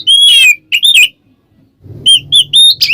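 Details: Oriental magpie-robin in ngeplong song, meant as a lure to excite others: a few loud drawn-out whistles and a short slurred phrase, a pause with faint low rumble, then three bright whistled notes.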